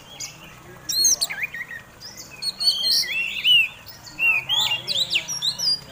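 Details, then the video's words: Oriental magpie-robin fighting song to provoke rival birds: after a quiet opening second, bright looping whistles and squeaky slurred notes arrive in short clusters, with faint background murmur. "Kacer Tarung Ngobra Ngotot"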